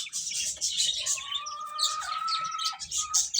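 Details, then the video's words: Baby chickens feeding, giving rapid high-pitched cheeping from several birds at once, with a steady whistled tone running through the middle part. "Beautiful Chicks Chirping Sounds | Baby Hen Eating"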